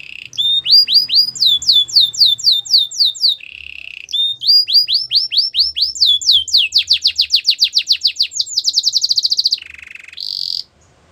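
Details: Belgian canary song for training young canaries, built from repeated loud swooping whistles in two phrases, a brief lower rattle between, then a quickening pulsed trill and a final high steady note.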